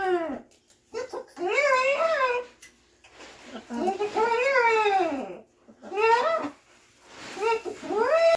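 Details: Pet macaw repeating an overheard conversation about the year 2020, voicing speech-like phrases in a strained, rising and falling humanlike voice, with pauses between phrases, indoors.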